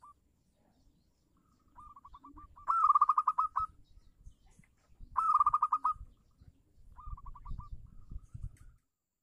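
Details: Local zebra dove in full song, played as a lure for silent doves: bursts of quick, staccato cooing notes, a softer lead-in followed by a loud rattling run, repeated several times over low background rumble.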